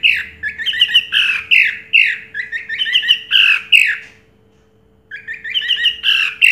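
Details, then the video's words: Contest-winning orange-headed thrush from 2022 delivers rapid, rich, scratchy warbled phrases in quick succession, breaking off for a silent second before resuming the varied chatter. "Suara Burung Anis Merah Juara Pertama Tahun 2022"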